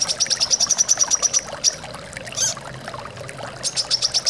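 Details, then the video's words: Brown-throated sunbird, a caged bird, played as a training recording to encourage singing, giving rapid trains of thin, high chirps, about four per second, breaking off and resuming, over a steady sound of flowing water. "TERAPI KOLIBRI KELAPA AGAR BUNYI DAN GACOR"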